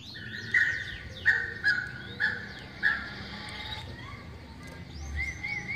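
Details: Female white-crested laughingthrush giving loud, clear, flat mid-pitched notes, each opening with a sharp onset and repeated about every half second to second. Later comes a rising note, with soft chirps from other birds and low background hum.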